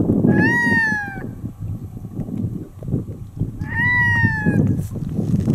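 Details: A red-throated loon on a river beneath Medvezhya Mountain, Chukotka, gives two drawn-out, nasal, moaning harmonic screams about three seconds apart, each rising then falling, over a steady rumble of wind or water.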